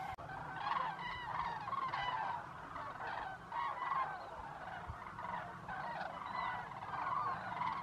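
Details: At dusk in Zamoran lands, a flock of common cranes comes in to the lagoons, trumpeting constantly alongside arriving geese; dense chorus of loud, rolling, bugled calls repeated every half second or so over a low background rumble.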